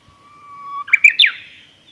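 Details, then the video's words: Japanese bush warbler singing along the Hayatogawa forest road at Lake Miyagase, Japan, on 31 March 2019: a long, steady whistle that swells, then a quick tumbling flourish sweeping sharply upward and fading into a thin trailing tone. "宮ヶ瀬湖 早戸川林道のウグイス"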